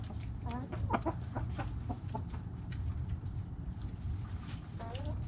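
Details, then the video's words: Backyard hens clucking: short, repeated low clucks and brief nasal notes in irregular bursts, over a constant low rumble. "Backyard Chickens Relaxing Video Sounds Noises Hens Clucking Roosters Crowing!"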